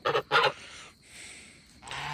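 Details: Noisy farm goose from a flock of Chinese and African geese honking near its empty pool; two quick harsh honks, then a long stretch of low hissing noise and a softer sound at the end.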